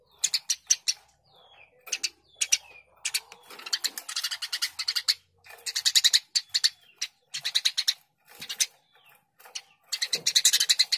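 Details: Eurasian tree sparrow in full, vigorous voice: repeated bursts of harsh, metallic chirps in fast series, some runs long and dense, with brief silences and faint thin whistles between.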